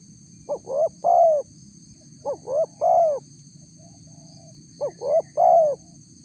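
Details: Three quick phrases from a spotted dove recorded to lure wild doves: each a pair of brief rising coos then a drawn-out, slightly falling hollow note, phrases spaced about two seconds apart, with low background rumble and a thin electronic hum.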